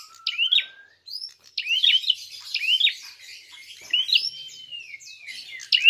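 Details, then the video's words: Prinia fighting call meant to provoke other birds: short, sharp chirp phrases with steep up-and-down slides, repeated several times, over a faint steady whistling tone in the background. "Prenjak tarung gacor!!"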